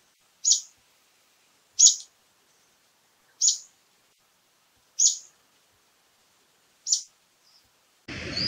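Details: Brown-eared bulbul repeating a piercing, sharp single note five times at roughly 1.5-second intervals, with a sudden burst of broadband noise at the very end.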